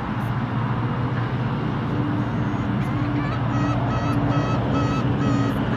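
Whooper swans give brassy, nasal bugling honks, repeated about twice a second in the second half, over a steady low rumble of wind or distant traffic.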